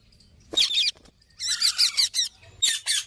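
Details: Green parrot giving a harsh screech followed by a fast string of grating, buzzy squawks and another rough burst at the close.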